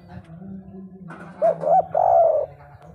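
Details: Spotted dove in a brief 'kuk 3' coo, two short arched notes then a longer hollow hoot, partly masked by rumbling low background noise and hum.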